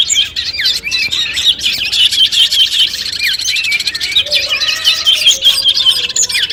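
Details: Long-tailed shrike song played to test a bird before competition: a busy stream of varied whistled slurs and chattering notes, with a softer low warble midway.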